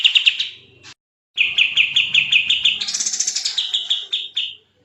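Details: Sooty-headed bulbul, locally kapas tembak, singing in the fast, dense gacor style as a tutor recording for other songbirds: rapid runs of bright chirpy notes repeated several times a second, broken by abrupt pauses, then a higher rising flourish.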